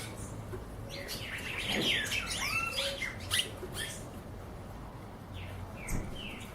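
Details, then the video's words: Wild birds singing: a brief cluster of quick whistled and chirping notes, some sweeping down, bunched in the middle, over steady low background hum. "Pássaros silvestre cantos"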